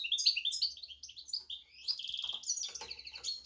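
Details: Goldfinch x canary hybrid singing a rapid run of high, twittering notes that slide and warble, ending in buzzy trilled phrases.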